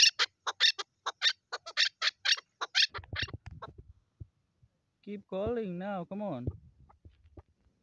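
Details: Chukar partridge, a female, calling with quick, high, scratchy clucks for about three seconds, then falling quiet while a drawn-out wavering human voice sounds.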